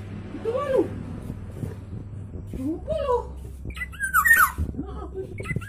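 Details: Black-naped oriole giving a loud, thick song: two low, rounded slurred notes spaced about two seconds apart, then a brighter cluster of fluty downward-sliding whistles, with a constant low hum underneath.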